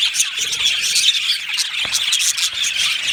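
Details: Australian budgies, a colony in an aviary, chirping continuously in a dense, bright chatter of overlapping squeaky chirps and squeals from many birds.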